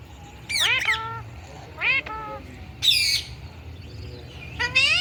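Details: Indian ringneck parakeet talking and making sounds: loud, downward-sliding harsh screeches spaced about a second apart, one very shrill squeal near the middle and a final rising squawk, over low hum.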